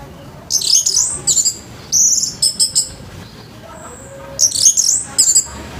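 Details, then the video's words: Orange-headed thrush singing harsh, rough morning song, used to stimulate other birds into singing; three bursts of high, scratchy, buzzy notes in quick clusters separated by short pauses, over faint steady background hiss. "ANIS MERAH NGEPLONG PAGI‼️SUARA KASAR BIKIN ANIS MERAH BAHAN CEPAT BUNYI‼️"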